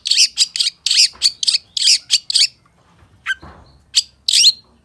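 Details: Long-tailed shrike in lively full-isian song, packed with mimicked phrases: bursts of high, scratchy chirps and trills come in quick succession, then a pause broken by a rising whistle and a few sharp notes.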